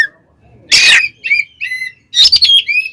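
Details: Oriental magpie-robin 'tarung konslet' song meant to provoke other magpie-robins: a loud harsh screech, then thin drawn-out whistles and another noisy burst followed by a rising whistle.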